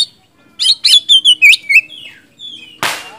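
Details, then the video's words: Oriental magpie-robin, a vigorous singer used to stir quiet magpie-robins into replying: a fast run of six loud whistled, twisting notes, a long level whistle, then a sudden harsh rasp. "kacer gacor ngeplong,kacer macet bahan langsung nyaut emosi dipancing kacer satu ini"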